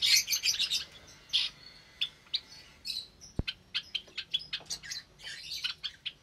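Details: Caged Java sparrows with many newly hatched chicks, Sunday morning, May 2022: rapid series of sharp high chips and clipped tweets, busy at first then spaced in quick bursts, one brief click midway.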